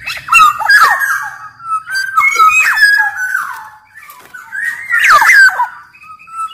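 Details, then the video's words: Black-naped oriole song for luring and schooling caged orioles: repeated mellow whistled slurs interlaced with scratchy, buzzy notes, delivered in steady bouts of about a second each. "Burung kepodang gacor SUARA cocok buat PANCINGAN MASTERAN SUARA PIKAT TERAPI podang agar cepat gacor"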